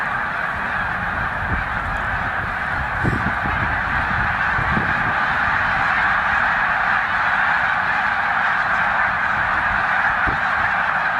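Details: About 100,000 migrating Snow geese massed at Middle Creek wildlife refuge, a stop on their northward journey to breeding grounds. The calls form an unbroken, rushing wall of overlapping honks throughout, with a few faint low thumps.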